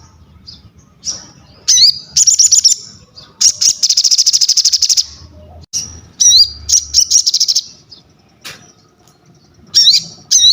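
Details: Crested jay singing actively: repeated bursts of fast, high, metallic rattles mixed with upslurred whistles and sharp chips, with brief gaps between phrases.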